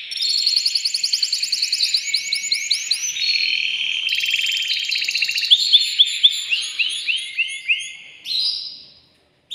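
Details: Male canary song aimed at rousing a female to mate: quick repeated downward-sweeping notes at a steady fast beat, shifting into buzzy rattles and high rolling trills before a brief pause.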